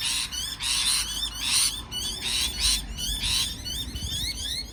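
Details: Parrot chattering with loud raspy bursts layered over warbling, sliding whistles, irregular in rhythm and nearly continuous.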